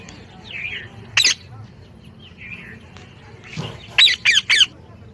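A parrot gives harsh, squawking calls: one sharp burst, then three rapid raspy squawks near the end, with softer chattering notes between.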